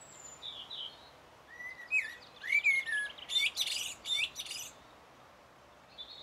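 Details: Common blackbird singing on 1 June 2016, captured on a Sony HDR-PJ10E: slurred fluty whistles that rise and dip, followed by a burst of scratchy, high twittering notes typical of the song's ending.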